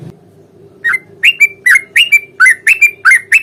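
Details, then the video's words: Lively sooty-headed bulbul fighting song used to provoke a reply: after brief quiet, about ten sharp, liquid, down-slurred notes tumble out rapidly, with a constant low hum behind. "trucukan gacor tarung ROPEL PANJANG pancingan trucukan agar bunyi"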